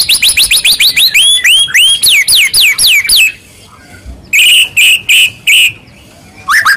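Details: White-rumped shama song used to provoke a quiet shama into singing: rapid series of loud, rising whistled notes with bright harmonics, repeated several times a second, a pause, then sharper clipped notes.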